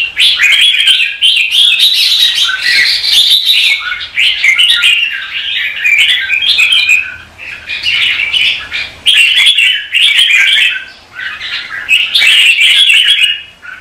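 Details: Red-whiskered bulbuls in competitive morning singing, used as lure-bird sound to train and stimulate other bulbuls: dense, overlapping bright warbled phrases, nearly continuous, with brief pauses around eight and eleven seconds.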